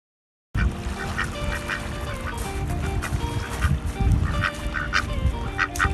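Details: Aigamo duck playing at Lake Biwa on a windy, slightly cloudy day, giving angry calls: short nasal quacking bursts repeated roughly every half second, over loud roaring wind and steady background music.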